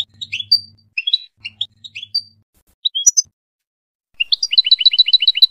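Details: Tunisian European goldfinch singing a varied, fast string of liquid chirps and slurred whistles over a faint low hum, then a rising note into a rapid, regular, tinkling trill.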